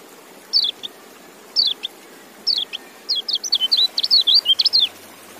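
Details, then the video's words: Three short high chirp pairs from a white-eye, spaced about a second apart, lead into a rapid, rollicking twittered phrase of sweet notes. "Relaksasi Suara Kecial"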